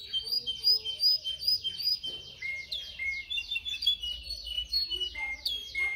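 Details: Canary song played for training canaries to sing: rapid rolling trills and repeated bright chirps, roughly two to three notes per second, with some lower warbled phrases and a faint low hum underneath.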